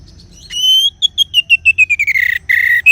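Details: Orange-headed thrush (anis merah) song: a long clear whistle, then a quick series of short descending whistled notes, closing with a few buzzier, lower phrases.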